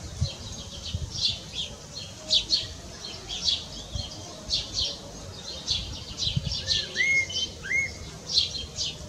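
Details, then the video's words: Blackbird perched on a house roof giving its calm evening song, another heard far off like an echo; a short pair of mellow rising whistles near the end, amid steady high twittering from other birds. "Merel zingt zijn avondlied"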